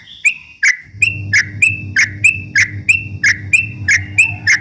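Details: Yellow-vented bulbul (trucuk) singing to provoke rival birds, used as a lure morning, noon and night: a steady run of short, bright chirps, roughly two or three each second, over a constant low hum.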